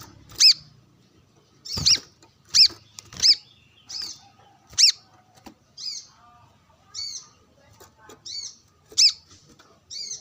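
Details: Brown-throated sunbird in full voice during sunbathing, calling a rival amid wild birds; strong high chips in an irregular run, mixed with fainter twittering notes and a brief lower warble midway.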